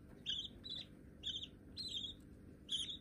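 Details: Hand-tame budgerigar babies, perhaps both white, utter four or five scratchy chirps spaced irregularly, each brief and buzzy, with quiet background hum between them.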